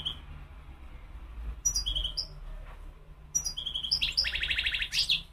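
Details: A wild European goldfinch sings bright, tinkling twitters in short bursts, ending in a buzzy, rattling trill over a faint low hum.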